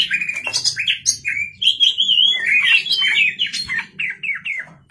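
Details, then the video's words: Night-time song of a white-rumped shama in full voice: a rapid stream of clear, varied whistles and slurred notes, rising and falling, ending in short repeated phrases, with a faint background hum. "kacer gacor malam hari"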